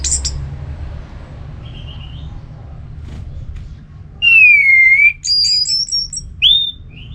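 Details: Ngeplong song of an orange-headed thrush, meant to stimulate another bird to sing: a long clear whistle slurring downward, then a string of higher stepped whistled notes and a final short slurred note over faint low hum.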